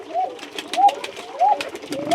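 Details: Tiger Bashiraj domestic pigeons in a loft in Bagmara, Rajshahi, Bangladesh give soft, low coos that swell and fall, repeated about every two-thirds of a second.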